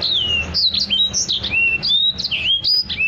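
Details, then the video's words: Continuous varied warbling from a Black-throated canary, a song for teaching other birds: long drawn whistles gliding downward, mixed with short bright notes, over a faint broad background noise. "EDEL SANGER GACOR~cocok buat burung masteran"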